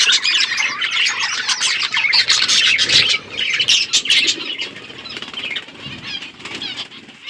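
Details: Budgerigars eating seeds chatter in a steady stream of high, scratchy chirps and warbles.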